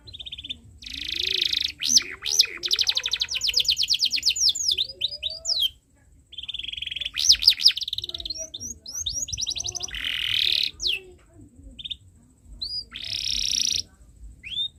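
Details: Canary tutor song for young birds, long chirping style: bursts of dense buzzing, rapid trills and looping whistles separated by short pauses, with a faint low wavering tone beneath.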